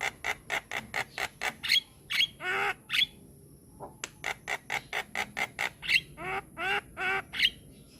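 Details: Masteran recording of a white-eyed Javan myna in full song: quick chattering clicks, harsh downslurred squawks and short whistles, repeated in irregular bursts over a faint high-pitched electrical whine.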